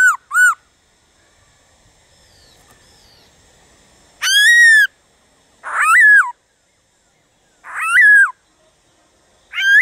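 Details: A black-throated laughingthrush gives 'gọi bổi' song to prompt other birds to sing: two short opening notes, then longer whistles with falling curled ends, spaced roughly two seconds apart.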